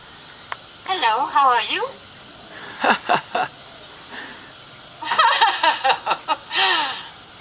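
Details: Common hill myna imitating human speech, "namaste, how are you?" and "good morning", in clear, speech-like phrases each repeated twice, with a faint background hiss.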